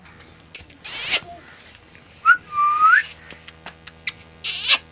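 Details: Talking parrot giving a loud harsh screech followed by a smooth rising whistled note, with scattered clicks and a final burst of noisy squawk.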